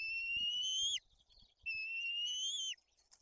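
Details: Two drawn-out, piercing whistles from white-tailed eagle chicks at a Tuchola Forest nest in Poland, at a fish feeding with the older chick aggressive. Each whistle climbs slowly and then falls off abruptly, with faint knocking in the background.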